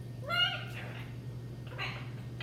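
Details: One of two vocal pet macaws gives one short, rising, meow-like wail, then two raspy, breathy squawks about a second apart, over a steady low household hum.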